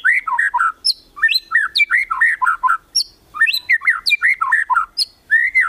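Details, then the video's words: White-rumped shama in kretekan style, aimed at rivals: a continuous flow of rich whistled notes in rapid bouncing phrases, punctuated by occasional very high thin squeaks, ending on a drawn-out whistle. "KRETEKAN MURAI BATU MEMANCING EMOSI, BIKIN LAWAN CEPAT GACOR EMOSI"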